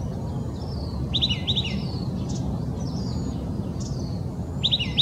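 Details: Song of an oak titmouse recorded January 21, 2020 in Old Torrance, Los Angeles County, California. Bright whistled triplets come in repeated bursts near the start and again at the end, over soft distant chirps and constant low background rumble.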